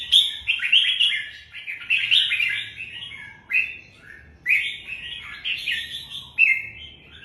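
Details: Red-whiskered bulbul singing: bright, bubbly warbled phrases in bursts roughly every two seconds, each a quick run of liquid whistled notes, with a faint higher ringing overtone above and no other clear sounds.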